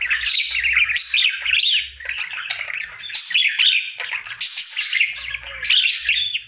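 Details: Pet budgerigar, a male, singing as part of his daily routine indoors: continuous chattering warble of buzzy notes, clicks and short whistles, bursts rising and falling in pitch with brief pauses around two and four seconds.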